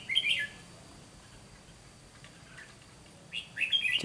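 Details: Red-whiskered bulbul decoy singing a fighting song while trapping wild bulbuls: one brisk warbled phrase at the start, a long quiet gap, then two more lively phrases ending in a dull thump.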